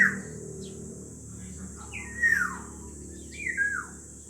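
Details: Black-naped oriole, one of two birds: liquid whistled phrases that descend in pitch, several in quick succession, against a constant high-pitched hiss.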